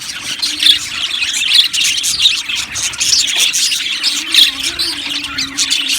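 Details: Many budgerigars in an aviary chirp and warble nonstop; sharp high tweets punctuate a busy, overlapping chatter that rises and falls in loudness.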